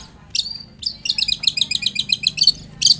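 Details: Long-tailed shrike singing, used as a lure to make a shrike reply: a short whistled opening, then a rapid rattling trill of high bubbling notes, ending with a sharp burst.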